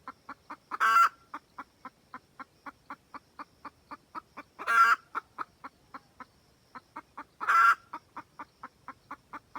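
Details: Red junglefowl hen cackling to call a rooster, a recording for trapping: a steady run of short clucks with three loud, harsh, rasping cackles about three seconds apart.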